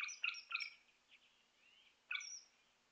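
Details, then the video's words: A Northern Shrike calls off camera near a feeder in Ontario on 13 March 2018, keeping other birds away. It gives harsh, grating notes in a quick cluster of three, then a soft rising whistle and one more rasping note. "Northern Shrike Vocalizes Off Camera"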